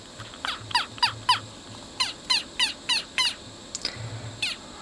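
A jackdaw gives about ten short, sharp, downward 'chak' calls in quick, uneven bursts over a low electrical hum.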